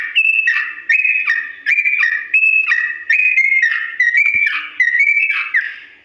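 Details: Yellow-vented bulbul singing a long, slow-pitched rolling song meant for birds to copy: short whistled phrases repeated about every 0.7 seconds, each dropping from a higher note to a lower one, in a quiet background.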